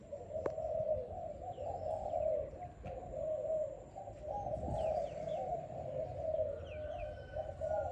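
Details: Young, selected Malaysian-type Spotted Dove, kept about five days, cooing in a low, continuous, soft voice. A few faint higher chirps of other birds sound in the background.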